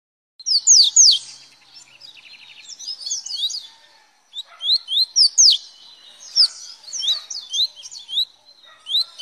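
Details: Double-collared seedeater singing in the velocista song style: bursts of high, sharp, upslurred whistled notes delivered quickly, in three phrases separated by short pauses with faint twittering between.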